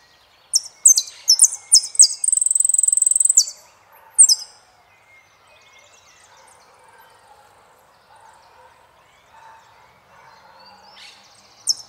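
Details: Saffron finch gives a burst of high chip notes and a quick, even trill, one final chirp, then near silence with faint distant sounds and a lone note at the end.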